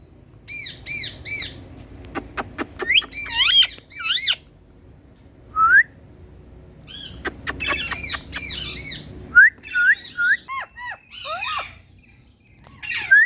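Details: Indian talking parrot giving repeated arched squawks and whistled, rising and falling notes in short bursts with pauses between, in a quiet room with a faint low hum.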